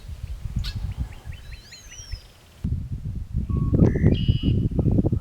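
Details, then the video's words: Red-winged Blackbird song near a dairy barn and cow pasture at East Wind, where flocks are common: a series of short chip notes, then a rising whistled phrase with a ringing trill, over strong low wind rumble. "Flocks of red-winged blackbirds are common all around Eastwind, and their song is very distinct."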